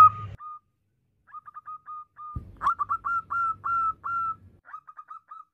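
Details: A female zebra dove calling to a male gives soft, clipped coos in quick stuttering runs, then a smoother phrase of longer notes, with low rumbling knocks underneath.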